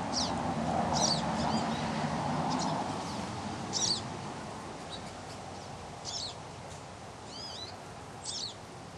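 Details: Little birds calling near a water cooler, giving sharp, high, clipped chirps and a few rising-falling twitters, spaced roughly every second, over a constant low rumble and hiss.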